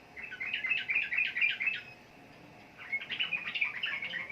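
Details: Sooty-headed bulbul (trucukan) delivers two quick bursts of tumbling, chirpy notes, separated by about a second of quiet.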